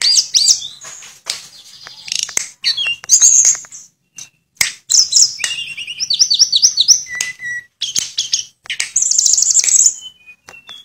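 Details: Sulingan (Tledekan) singing in full 'nyuling' style, a bird known to imitate other species' notes: rapid high chirps and whistled phrases, buzzy trills and short rising and falling notes in bursts, with brief pauses between.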